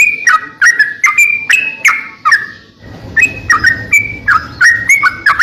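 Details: Greater green leafbird, a kept master tutor bird singing in full voice, giving clicking notes that drop into short downslurred whistles, repeated around three times a second, with a brief gap near the middle.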